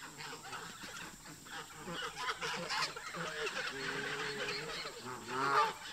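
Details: Local geese in a park bickering with migrating visitors; low rolling honks swell midway, and a sharp louder honk breaks out near the end.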